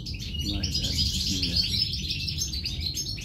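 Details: Goldfinch nestlings at feeding time, three nests: rapid, overlapping high-pitched cheeping in quick succession, with a constant low background hum.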